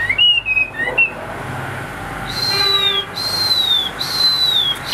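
A Chinese hwamei gives clear, loud whistles: a few short wavering notes, then three long falling whistled phrases about a second apart.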